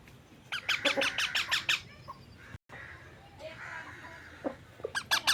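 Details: Talking parrot kept as a pet, loud rapid train of eight harsh repeated squawks, then a short gap, soft rustling, and another brief burst of squawks at the end.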